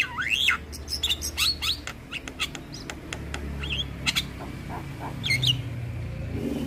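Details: Javan myna in full voice, a tutoring recording for young mynas: scattered harsh squawks, short rising and falling whistles and sharp clicks over a steady low hum.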